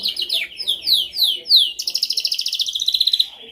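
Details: Canary singing for training: a sequence of about six loud downward-sweeping whistled notes followed by a fast, even, rolling high trill of many pulses that fades out.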